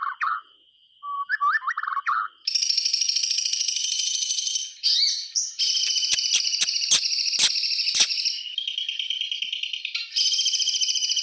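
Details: White-rumped shama song, used to prompt silent shamas into singing: a few low warbled notes, then long buzzy, rasping rattles broken by sharp clicks, over a steady high whine.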